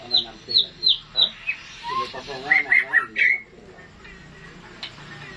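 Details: White-rumped shama (murai batu) singing classic song: four sharp descending whistles, then a lower note and a quick run of bright chipped notes, followed by quiet background.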